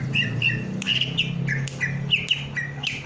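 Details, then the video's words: Whistled phrases from a greater green leafbird in breeding condition: short flat and downslurred notes repeated in pairs about every half second, with sharp clicks and a constant low electrical hum behind. "Cucak Ijo Gembung Birahi"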